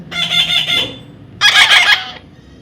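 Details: Baby parrot, being tamed and coaxed by a person, gives two loud harsh squawking calls, each under a second long, with a short quiet gap between them.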